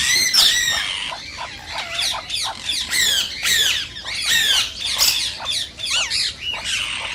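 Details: Green rose-ringed parakeet squawks intended to arouse mating and singing: rapid harsh, downslurred screeches, several birds overlapping in a busy, continuous stream.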